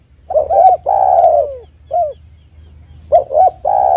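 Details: Spotted dove used to coax other doves into calling: clipped double notes, a long coo sliding downward, a lone short coo, then another phrase starting with quick notes.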